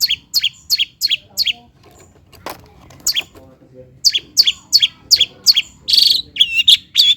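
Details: Long-tailed shrike (cendet) lure song for prompting lazy birds to sing: a row of bright chirped notes, a pause with faint background noise, then another fast chirp series ending in a buzzy note.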